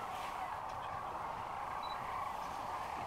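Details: Massed sandhill cranes calling together at Rowe Sanctuary near Kearney, Nebraska, on March 13, 2014: a steady wall of overlapping rolling calls.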